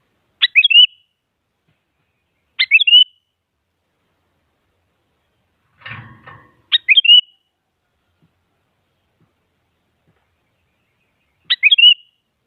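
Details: Sooty-headed bulbul rival-provoking song for a quiet bird: five short stuttered, whistled phrases at uneven intervals, with a soft low rustle in the middle.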